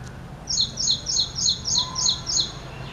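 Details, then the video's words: Ashy prinia (Ashy wren-warbler, Prinia socialis), a small warbler, singing a fast series of seven identical high, sharp notes, about three per second, each one falling slightly in pitch, over a quiet low hum. "Ashy prinia or Ashy Wren Warbler - Call,song"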